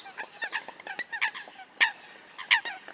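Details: Eurasian coots call softly and then more loudly, giving a scatter of nasal, squeaky notes with two louder, sharp yelps near the end.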